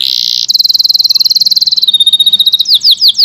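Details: Local-type canary singing in a variation song: a long buzzy high tone, then a fast even trill of bright notes, then a slower series of descending whistled slurs.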